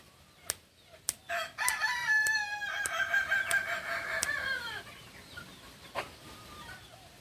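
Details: Kukuak balenggek rooster, a native chicken of Solok, West Sumatra, crowing: a long harmonic crow of about three and a half seconds that breaks into a run of stepped, wavering notes before fading, preceded by a few sharp clicks.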